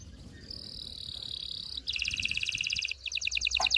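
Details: Canary singing to stimulate pairing for mating: a thin steady high whistle-trill, then a fast pulsed rattling trill, somewhat softer against a low background hiss.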